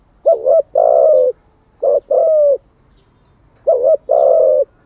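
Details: Spotted dove cooing for training decoy and newly caught birds: three phrases, each a quick doubled note and then a long low coo, repeating about every one and a half to two seconds.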